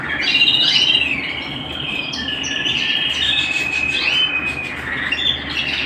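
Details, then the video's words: A canary sings indoors at home: rapid rolling trills and sustained whistled tones, opening with sharp downward-slurred notes, then a long steady trill with scattered high chips, over continuous hiss. "canary bird - canary singing - canary sounds - canary singing at home"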